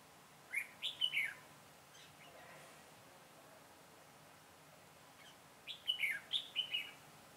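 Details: Decoy red-whiskered bulbul at a bird trap, September 2017: two short bursts of lively, slurred whistling notes separated by several seconds of faint outdoor ambience.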